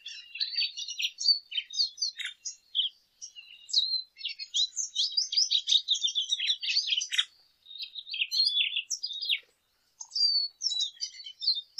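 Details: A lesser goldfinch sings on and on in fast, chattering high-pitched phrases of chips, buzzes and slurred whistles, pausing briefly around seven and nine seconds.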